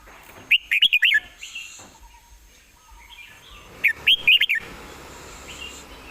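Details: A red-whiskered bulbul sings relaxed from a perch, noted for fine phrasing and a fast mouth: two clear bursts of rapid, looping whistled notes, with softer faint whistles and a quiet background between.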